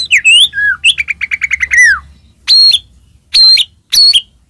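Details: Singing white-rumped shama, a lure to get other shamas singing: a rising whistle and a dropping note, a fast run of evenly repeated notes ending in a downslur, then three separate very high ringing whistles.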